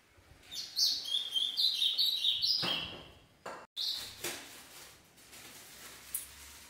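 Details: Ultramarine grosbeak kept in a cage, adult or six-month-old son, sings a fast fluttering phrase of high trilled notes lasting about two seconds, then a sharp knock and a brief extra note amid quiet hiss.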